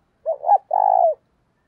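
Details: Decoy spotted dove calling to lure wild doves: a short, two-part rising coo followed at once by a longer, level, resonant coo, ending in silence.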